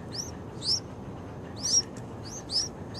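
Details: Six-day-old Yellow-vented bulbul nestlings beg with thin, very high, squeaky chirps, about five in three seconds, over a low steady background rumble.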